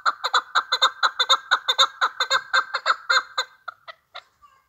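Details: Chukar partridge calling: a rapid series of harsh, clucking notes, about two per second at first then faster and louder, each stacked with strong harmonics, fading into a few scattered softer clucks at the end.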